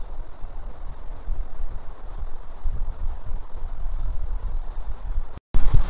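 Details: Continuous low rumbling noise, like an idling engine or handling, with a short dropout near the end and no animal calls.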